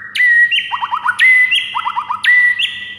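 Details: White-rumped shama singing in the morning, a recording for training other songbirds: three repeated phrases, each a loud clear whistle followed by a quick run of four rising chirps, about one phrase per second.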